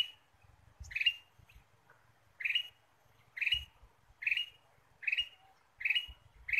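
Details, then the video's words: Lure recording of a Ruby-throated bulbul: around seven bright, rising chirps at fairly even intervals of roughly a second, over a hiss and low rumbling noise. "PIKAT KUTILANG EMAS GACOR"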